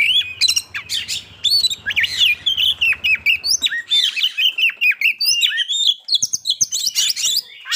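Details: Oriental magpie-robin (kacer) song played to make birds quickly aggressive and ready to breed; rich varied whistles and clicks pour out nonstop, with a low droning hum under the first half.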